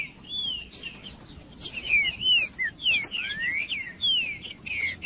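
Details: Green-winged saltator song played to stimulate a caged bird: rich whistled phrases of sliding, falling and rising notes in loose groups, over a faint constant high-pitched background tone.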